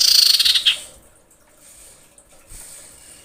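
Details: Female common iora calling for males. One intense harsh trill under a second long, with a whistled thread inside, then quiet with faint scattered sounds.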